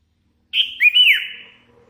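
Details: Sooty-headed bulbul, a hand-fed young bird singing well, delivers one rich whistled phrase: a steady note breaking into a looping downward slur that trails off.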